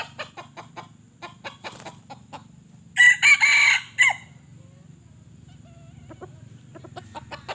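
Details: Decoy chicken (ayam pikat), not wild junglefowl, kept to lure and catch other chickens. It gives a loud, harsh crow in about one second of broken bursts mid-recording, with rapid clicking and tapping before and after.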